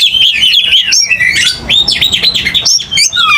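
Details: Oriental magpie-robin, agitated and ready to fight, pouring out a continuous stream of bright whistled notes, slurs and rising sweeps with little break.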